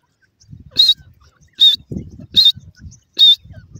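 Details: Caged francolin giving four loud, harsh, high-pitched calls, one about every 0.8 seconds, over low rustling and knocking sounds.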